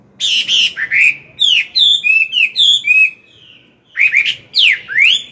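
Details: Morning song of a Chinese hwamei, an old wild-caught singer used for training a young bird: bright, varied whistles in quick succession, a brief pause, then loud sweeping slurs.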